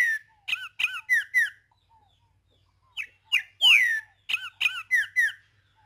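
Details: Tempera viola song of a green-winged saltator in nature: quick runs of four sharp slurred whistles, a pause, then two notes, a strong falling whistle and another fast run.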